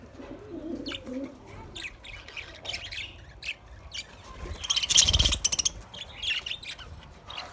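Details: Caged budgerigar chirping: scattered short, high chirps and twitters, with a denser, louder burst of rapid chirps around the middle, then softer chatter.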